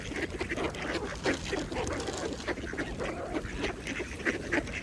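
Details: Several mallard ducks feeding peacefully at a pond give a dense, continuous run of short, low quacks and chattering notes, many overlapping with no clear rhythm, over a steady wash of calm water.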